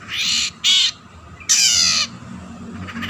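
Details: Long-tailed shrike sounding off to stir rival shrikes into song: three loud, rasping, scratchy squawks in close succession, the last longest, followed by quiet with faint low hum.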